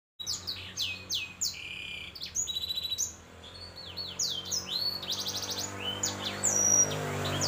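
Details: Hybrid bred from a canary crossed with a black-throated canary, singing a fast varied song of high clear whistles, upward and downward sweeps and buzzy rattling trills, with low background hum.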